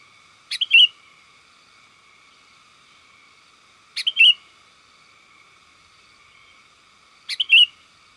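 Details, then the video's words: Sooty-headed bulbul calling to companions, used as a lure for wild birds in open forest: three identical short phrases roughly every three and a half seconds, each a sharp chirp then a bright rising whistle, with a faint constant hum. "Suara burung kutilang gacor panggil kawan"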